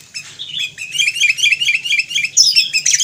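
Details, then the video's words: Sooty-headed bulbul (kutilang, Pycnonotus aurigaster) giving a fast, steady run of bright chirping notes. Each note dips and rises, about two per second, and the singing swells louder toward the end. A faint low hum sits underneath. "Suara Burung Kutilang / Sooty-headed Bulbul"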